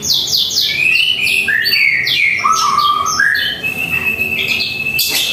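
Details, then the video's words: White-rumped shama singing at home in the morning: a loud, rich run of varied whistles and rapid descending notes that ends in a long sustained whistle and a sharp closing burst. "Masteran suara burung murai"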